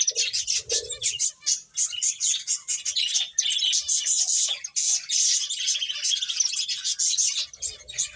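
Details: A flock of finches at play keeps up a continuous stream of high, thin chirps and twittering notes, closely packed and overlapping, with faint low bumps at the start and end.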